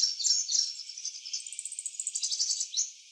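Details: Purple sunbird in eclipse plumage singing in a garden, a very high, thin, sweet twittering. Rapid tinkling notes open the song, then a fast run of clipped, evenly spaced chips, and a brief squeaky flourish at the end. No other clear sounds.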